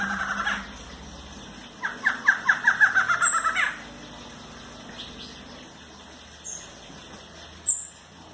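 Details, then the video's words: A Barred antshrike gives a quick series of about eight nasal, bouncing notes lasting under two seconds, with a few thin high squeaks and a brief harsh note around it. "Choca Barrada Parea Top!"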